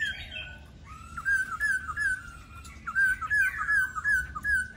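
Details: Laughingthrush singing a run of clear whistled, warbling phrases that rise and fall, with loud slurred notes in quick succession and brief pauses between bursts.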